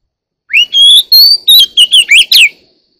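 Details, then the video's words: Song of a one-year-old Oriental magpie-robin: an upward-sliding whistle, a long sustained note, then a quick string of warbled, descending chirps lasting about two seconds. "Chòe than 1 năm tuổi bộ đẹp mau mỏ"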